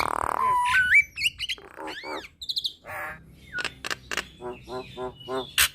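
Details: Nias hill myna, starting with a harsh squawk, then rising slurred whistles, arched nasal notes, a short high trill, a grating rasp, sharp clicks and a row of soft repeated nasal calls.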